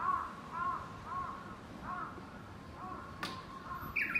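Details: Crow cawing in spring among cherry blossoms, said to be jealous of a bush warbler's song; a run of about six hoarse, nasal caws spaced roughly every 0.8 seconds, steady in pitch, followed by a sharp click and a faint high chirp near the end.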